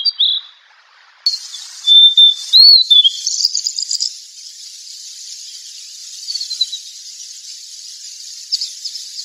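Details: Fork-tailed sunbird: short high whistles and a looping slurred note, followed by a rattling, hissy high-pitched background sound with faint twittering.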